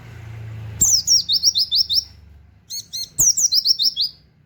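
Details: Oriental white-eye singing 'tembakan wit wit kenari' for songbird training. Two high phrases: each starts with a sharp falling note and rattles off about six fast, bright chirps, separated by a short pause.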